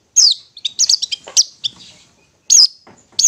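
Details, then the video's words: Ngetet song of a long-tailed shrike, played to rouse stressed or mute shrikes: sharp downslurred shrieks alternating with scratchy mimic-like chatter, then a pause before more strident notes. "Terapi Suara Cendet NGETET untuk pancingan Cendet STRESS dan BISU"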